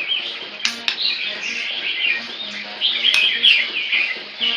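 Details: Loud captive white-rumped shama, tail nearly eight inches and growing, pouring out a dense stream of bright whistles, trills and quick chirps, with a couple of sharp clicks and a soft low droning background.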